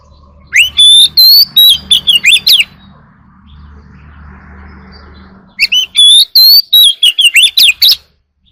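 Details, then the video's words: Oriental magpie-robin singing early in the morning: two bursts of loud, varied whistled phrases with rising and falling notes, separated by a quieter gap with low background hum. "warbler sings early in the morning || Chòe than hót đấu chim rừng quá sung"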